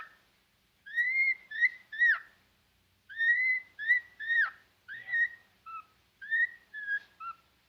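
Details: A male cockatiel whistles clear, slurred phrases over and over, trying to wake up its companion.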